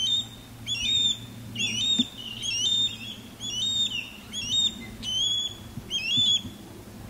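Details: Osprey courtship calling during a male's sky dance low over a backyard, with a female calling loudly from a longleaf pine. Sharp, whistled, upslurred chirps come in clusters about once a second, recorded with an external microphone over a low background hum.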